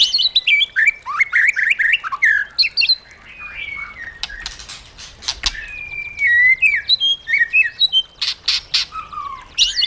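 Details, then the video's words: Caged white-rumped shama in varied wild-style song, giọng rừng: rapid bouncing whistles, rising and falling slurs and clipped chips in quick succession, a short gap with sharp clicks, then more fluty phrases. "KÍCH CHOÈ LỬA HÓT 100%, LUYỆN CHOÈ LỬA HÓT GIỌNG RỪNG HAY MỚI NHẤT"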